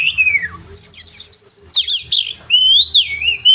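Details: Oriental magpie-robin giving sharp 'roll tembakan' phrases meant to train other caged birds: a falling whistle, a quick string of five clipped high notes, a rasping burst, then a long wavering whistle.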